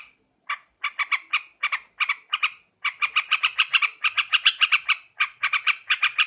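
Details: Sooty-headed bulbul call used as a lure for trapping birds, Borneo: rapid bursts of short bubbly chattering notes, several per second in clustered runs, on a clean quiet background.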